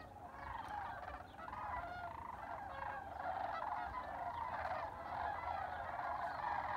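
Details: Sandhill cranes during spring migration at Albuquerque, New Mexico: a large flock giving a continuous chorus of rolling, trumpeting rattles that overlap densely, with steady low background rumble.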